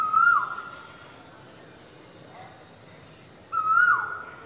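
Asian koel giving two loud, clear whistled notes, each lifting slightly then sliding down, about three and a half seconds apart over a faint background hiss.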